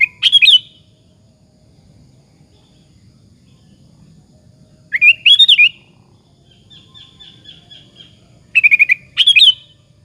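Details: Persistently singing sooty-headed bulbul used to provoke rival bulbuls into replying, giving loud chattering, bubbly whistled phrases in three bursts, separated by quiet gaps holding faint thin repeated notes and a low background hum.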